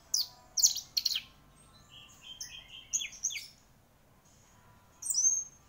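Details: Orange-headed thrush, a prized gacor champion songbird, singing a varied run of high whistled and scratchy phrases, sharp bursts at the start, mid-pitched warbled notes in the middle, then a bright rising whistle near the end.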